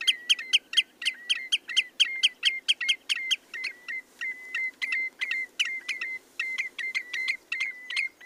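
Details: Rapid repeated whistled notes from a Common redshank, each note fixed in pitch with a sharp attack, running quickly at first, then briefly slowing to plainer, softer whistles before picking up again.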